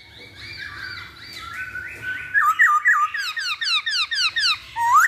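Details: Masked laughingthrush song used as a lure to get birds singing: soft rising phrases, then a rapid series of loud downslurred whistled notes, about four per second, ending in a sharp upward whistle.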